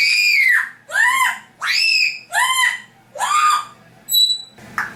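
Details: Pet African grey parrot indoors, mimicking sound effects: five loud, rising-then-falling squawky whoops in a row, about one a second, followed by a brief high whistle and a scratchy squeak.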